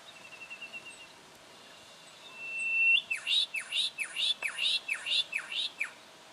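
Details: Juvenile brown goshawk calling in Victoria, Australia, October 2011: faint quick notes give way to a loud rapid series of sharply downward-swept whistled notes, around eight in a row, about three per second.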